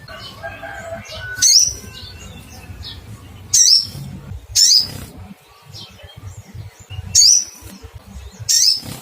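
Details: Little spiderhunter calling to find a rival: sharp, high cuitt notes repeated at uneven intervals of about one to two seconds, each a quick downward-sweeping chirp, over a low background rumble.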